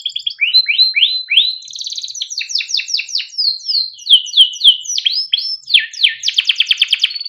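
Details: Singing Timbrado canary used for training: quick falling slurred notes repeated in series, then dense sweeping phrases and a closing rapid pulsed rattle, clear and uninterrupted.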